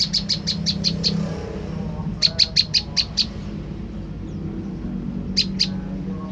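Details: Olive-backed tailorbird call used as a lure for a reply: seven quick piercing chirps, a pause, six more, then two, all high and clipped above a low hum.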